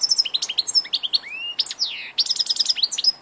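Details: Old European goldfinch, 2 August 2014: quick liquid twitters and high chips mixed with drawn-out sliding notes, a short break, then another fast tinkling burst.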